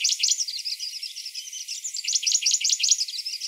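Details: Morning song of a grey-breasted prinia, a continuous, fast run of high, sharp chirps repeated several times a second without a break.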